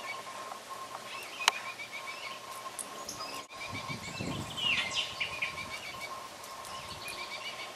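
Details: Baltimore oriole fledglings high in tall trees give faint, high, repeated begging chirps in a steady series while the male feeds them, with a brighter burst midway, over soft outdoor background noise.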